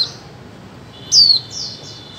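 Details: Female white-eye calling to prompt mute birds to sing: one bright, high chirp sliding downward, then a softer drawn-out thin note.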